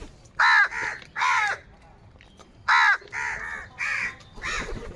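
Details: Many crows calling in the morning while fighting over food: harsh, nasal caws in two quick pairs, each pair split by a short pause, over a quiet background.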